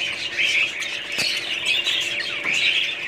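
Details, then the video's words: Budgerigars chattering together in a dense, continuous mix of high warbles, chirps and scratchy squawks, with rising and falling phrases overlapping throughout; a brief click near the middle. "budgies parrots"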